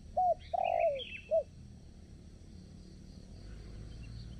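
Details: Spotted dove used as a decoy to lure wild doves for trapping at a new site: three soft, low cooing notes, a short one, a longer falling one and a short final note, then quiet background.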